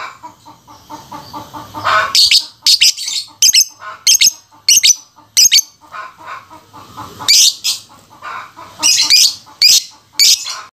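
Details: Aggressive, lively lovebird giving loud, harsh, shrill shrieks in short bursts, often doubled or tripled, scattered irregularly over the recording, with softer chattering and scratchy rustling between the calls.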